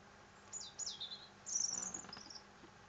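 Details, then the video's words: European robin singing: thin, very high whistled notes that slide downward, then a denser, sparkling warbled phrase with quick trills, separated by a short pause. The background is quiet apart from a faint steady hiss. "le chant du rouge gorge"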